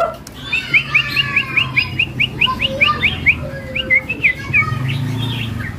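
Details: A caged oriental magpie-robin in a bird shop sings energetically and loudly, a rapid string of about fifteen short, bright, upslurred whistles, a brief pause, then a few more, over a low murmur of background noise.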